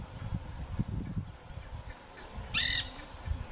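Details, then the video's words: In the wild in Brazil's Pantanal or Amazon, 2016–2017, a macaw lets out a single loud, harsh, rasping screech after quiet stretches of low rumbling outdoor noise. "Macaws in Brazil (in the wild)"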